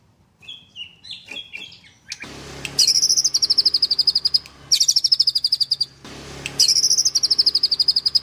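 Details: White-rumped shama kept at a bird farm in Kendal, a few soft warbled notes then three bursts of rapid high repeated notes in the nembak style over a hissy, noisy background.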